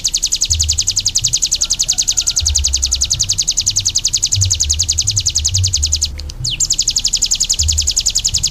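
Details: Bar-winged prinia, known locally as ciblek gunung, singing a long, rapid, evenly spaced run of high piercing notes, about three to four per second. The song briefly breaks near the end, and a low background hum runs throughout.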